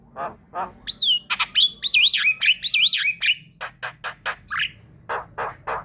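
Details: Javan myna calls for drawing in others of its kind: a harsh burst, then looping up-and-down whistles, followed by a string of dry clicks and raspy notes.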